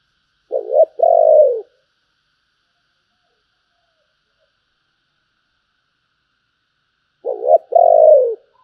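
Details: Thổ-voice spotted dove with a bầu-style coo, repeated twice about six seconds apart: each phrase opens with quick stuttering notes and ends in a drawn-out, low, gently falling coo. Silence between phrases.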